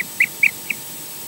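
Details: Osprey at a Scottish nest-camera site, during a visit when the male Odin flies in and out, attempts mating and a changeover takes place, giving four short, high, chirping whistles about a quarter second apart over a faint steady hiss.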